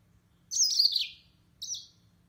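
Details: Yellow-fronted canary (Mozambique serin) delivering one high, slurred twittering phrase that slides downward, followed by a shorter descending note.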